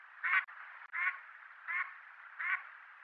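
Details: A mallard gives four loud, nasal quacks, spaced roughly every seven-tenths of a second, over a steady background hiss; mallard filmed at its breeding grounds in Japan, Nikko area.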